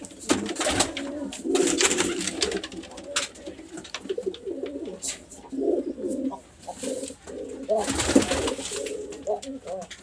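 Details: Several overlapping pigeon coos, gurgling and low, running almost continuously, broken by bursts of crisp clicks and rustling noise near the start and again toward the end.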